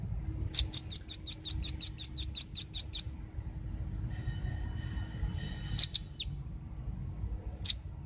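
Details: Lure call of male and female velvet-fronted nuthatch: a steady string of about fourteen thin, high chips at roughly four per second, then quiet with a few scattered high notes.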